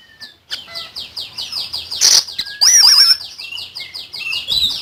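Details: Common iora singing hard for songbird tutoring: a fast, even series of high, thin descending notes, a harsh burst, then a long, quavering, trilled whistle and softer gliding notes.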